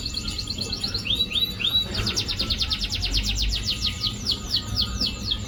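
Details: Canary song used as a lure to prompt a canary that is reluctant to sing: short rising whistles lead into rapid, high, repeated trills and rolling chirps, with a low background hum.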